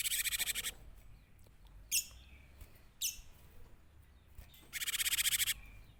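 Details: Cinereous tit in full, lively song, used as a lure: a rapid buzzy trill of repeated high notes opens, two short sharp calls follow a second apart, then another fast chattering trill closes the phrase.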